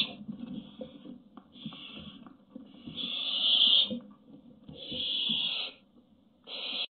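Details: Hungry Barn owl chicks on a nest webcam, 1 July 2017, give harsh, hissing, snore-like begging calls in drawn-out bursts of about a second, over a faint low hum.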